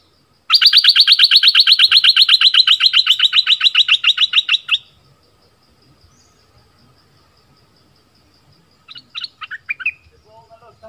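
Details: Southern Thai decoy bulbul gives a long, fast run of identical sharp notes, about four per second, slowing slightly over four seconds. A pause follows, then a short burst of bubbly chirps.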